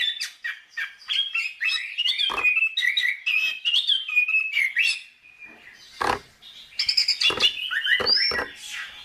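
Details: Chestnut-capped thrush (anis kembang) tutor song for songbirds: a fast stream of slurred whistles, a quieter dip, then renewed bright high phrases with sharp accents.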